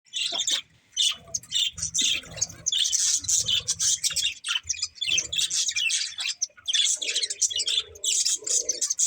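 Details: Breeding pair of budgerigars chirping: dense, scratchy, high warbled chatter in near-continuous bursts with brief pauses, plus faint low rumbling underneath.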